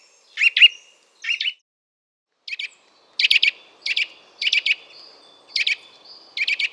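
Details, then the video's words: Eurasian nuthatch delivering a run of loud, clipped double and triple call notes, irregularly spaced, with a soft background hum in the second half. "KLEIBER 💮Zwitscherportrait💮 kleinfein -- Vogelstimmen"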